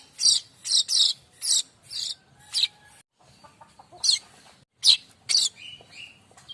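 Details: Streaked weaver (manyar kembang) song, used to train magpie robins and other songbirds: spaced harsh chips and chattering notes, a pause with faint ticking, then more sharp notes and short falling whistles.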